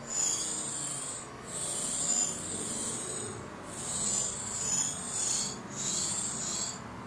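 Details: Great tit nestlings in a nest inside a barbecue, just fed, give high, hissing, rasping begging bursts. Each lasts about a second, roughly four in seven seconds, with soft rustling between.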